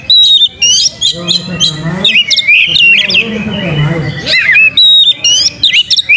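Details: Oriental magpie-robin (kacer) in full song with its tail opened. Bursts of bright, sharp whistled notes and squeaky slurred phrases are broken by louder buzzy stretches. A lower voice-like murmur can be heard underneath in places.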